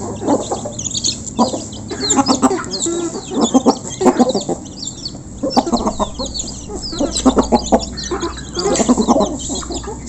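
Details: A feeding flock of local chickens recorded up close: rapid overlapping clucks in repeated bursts, with high chick-like peeps running above them throughout.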